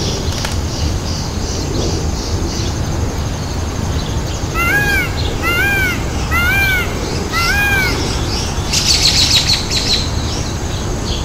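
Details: A peacock at a peacock zoo, where the birds dance, gives four loud, nasal, arching honks about a second apart over steady hiss, with brief high chirping from another bird near the end.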